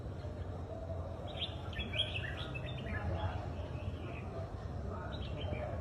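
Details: A Red-whiskered bulbul gives short bright chirps and warbled phrases in quick bursts, over a heavy low rumble and faint voices.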